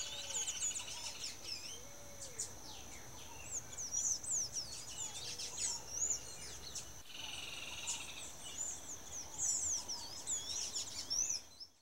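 A Sayaca tanager sings a long, hurried run of thin, squeaky high notes and twitters, with faint lower whistles from another bird and a steady background hum.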